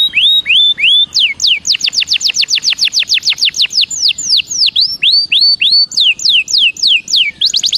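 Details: Continuous song of a Belgian canary for warm-up, with looping upward whistles followed by a long fast run of sharply descending notes and curved slurs, bright and high.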